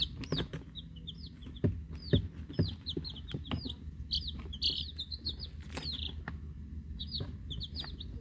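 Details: Week-old Rhode Island Red and Black Sumatra hen chicks, plus one mystery chick, hatchery-raised, peep busily in high falling and flat notes, about two per second, with frequent clicks, scratching and knocks beneath and a low background hum.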